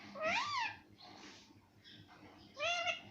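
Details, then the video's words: Talking parrot said to say mummy and papa: two loud harmonic, arched voiced calls, the first rising then falling, the second flatter and steadier, with a soft breathy sound between them in a quiet room. "mittu mummy bolne wala parrot - मम्मी पापा बोलने वाला तोता - talking parrot"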